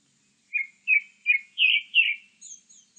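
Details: Grey-backed thrush sings five strong, mellow whistled notes that rise in pitch and intensity, then trails off into soft, very high thin twitters.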